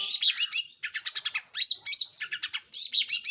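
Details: Long-tailed shrike in loud, lively song: bright, high chirps and trills delivered in rapid clusters, several notes each half second, with short pauses between bursts.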